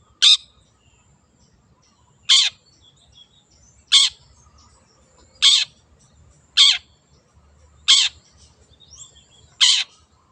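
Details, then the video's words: Long-tailed shrike, wild bird: loud harsh rasping calls, each short and broad, repeated seven times at intervals of roughly one to two seconds, with quiet background between. "PANCINGAN CENDET GACOR SUARA BURUNG LIARAN"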